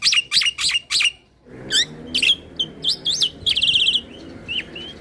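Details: Black-winged myna singing in continuous rolling style to agitate rivals: quick harsh notes, then varied whistled slurs and a rapid trilled run of wavering whistles ending in single rising notes.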